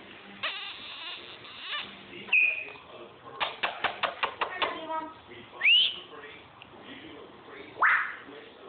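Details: African grey parrot making varied sounds: a short high whistle, then a fast run of about eight clicking pops, a sharply rising whistle, and a final loud upswept whistled note, with quiet room murmur behind.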